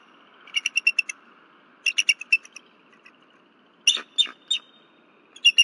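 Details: Female bald eagle on her nest at Berry College, 15 February 2023, disturbed around 10:10 pm by something flying near the nest, calling from a nest camera: bursts of high, piping chattered notes in rapid runs of four to six, with short gaps.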